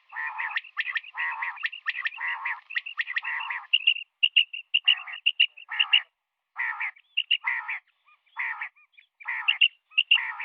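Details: Morning calling by a female common quail: fast rasping buzzy bursts at first, then sharp clicks and whistled notes, and later evenly spaced harsh bursts.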